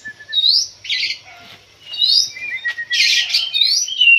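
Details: Kacer, the Oriental magpie-robin, singing hard in a pacingan set-up against another bird. Bright upslurred whistles and a thin sustained note are broken by two loud grating, hissy bursts, with almost no background noise.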